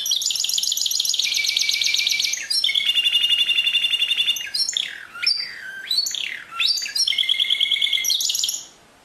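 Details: Pure canary song, 2016, featuring long rapid high trills, a lower rolling tour, loud swooping glides up and down, and another trill to close.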